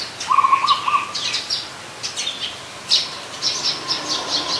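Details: Adult zebra dove at Ubon Ratchathani, Thailand, 24 December 2020, opens with one short purring burst of rapid level coo notes, followed by busy high chirping and tweeting of other birds.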